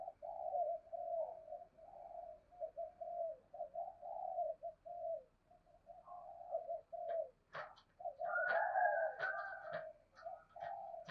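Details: Spotted dove lure bird, 'giọng thổ' style, calling its full phrase set: a long run of steady, rapidly repeated low coos, joined in the second half by sharp clicking knocks and a louder cooing passage.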